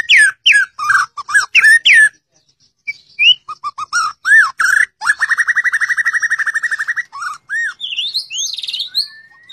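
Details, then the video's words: Murai batu, the white-rumped shama, getting ready for a song contest: repeated loud looping whistles, then a long fast rattle-like trill of evenly spaced notes and a few high sweeping whistles at the end. "MURAI BATU untuk persiapan kontes"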